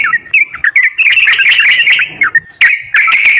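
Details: Yellow-vented bulbul song played to prompt a silent bird to sing. Short whistled notes build into a dense, chattering burst, then break off before a fresh run of bright warbling phrases.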